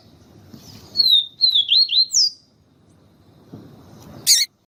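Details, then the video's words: Siu siu papa-capim, yellow-bellied seedeater, with a female calling to excite the male: one phrase of five high, wavering whistles in rapid sequence, the last rising steeply, then a click. "Canto Papa capim siu siu com Fêmea chamando para Esquentar papa capim siu siu"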